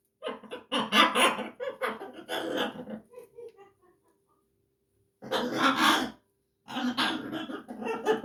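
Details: Blue-and-yellow macaw, a pet parrot, talking and laughing: raspy, broadband chattering bursts over the first three seconds ending in a faint tonal note, then a silent pause and two more harsh, voice-like bursts.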